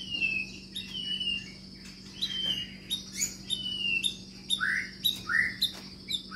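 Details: Caged long-tailed white-rumped shama of the Medan type singing in a large flight cage: clear whistled phrases, some sliding down and some rising, spaced through the clip over a steady low hum and a thin high tone.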